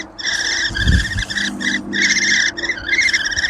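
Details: A nest of an estimated six to eight baby Great Spotted Woodpeckers in an old crab apple tree, in May, while the parents tend them; dense, continuous harsh buzzing chatter in stacked bands, with brief gaps and low rumbling handling noise.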